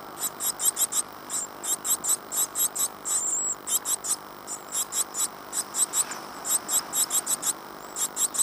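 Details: Great tit nestlings inside a nest box in Falmouth, UK, 14 days after hatching on 25 April 2011, giving a rapid run of very high, thin, hissing chirps in dense bursts, several per second, over a low steady hum.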